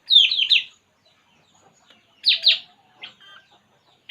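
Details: Puling bird at rest, giving loud, sharp downslurred chirps in quick bursts of three or four, then a second burst after a pause, followed by softer scattered notes.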